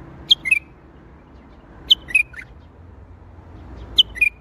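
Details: Singing bulbul, Baghdadi style: three short phrases about every two seconds, each a high sharp note dropping to a lower slurred whistle, against faint background hum.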